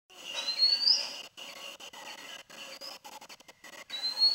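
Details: A perched Oriental magpie-robin sings high, clear whistles: a quick rising phrase, then scattered thin notes, ending with another upward whistle.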